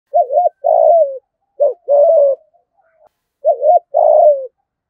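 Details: Spotted dove used as a decoy to lure wild doves, giving a clear coo: a short two-part rising note followed by a longer falling hoot, repeated three times about every 1.7 seconds in quiet surroundings.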